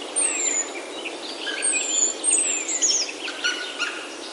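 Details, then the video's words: Birds singing in a Himalayan oak forest in Himachal, India, heard on a forest walk: several high, thin whistles and short sliding notes overlap through the clip above a steady hiss of forest ambience. "Himalayan Oaks Alive with Birdsong"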